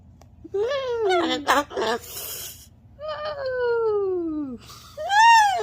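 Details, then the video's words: Cockatoo vocalizing: a string of whiny, sliding tonal calls that fall in pitch, one long drawn-out descending wail, and a final rising-then-falling cry, with a brief noisy burst in between. "I love his voice"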